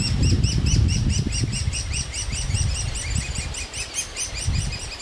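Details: Young great spotted woodpeckers begging loudly for food at a nest hole in a large old aspen, parents feeding them: rapid harsh chirps repeated about three per second over heavy low wind rumble.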